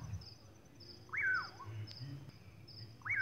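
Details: On a clear moonlit night in the countryside, a common pauraque gives two slurred whistles that rise sharply then fall with a wavering tail, about two seconds apart, over faint high insect trills and low rumble.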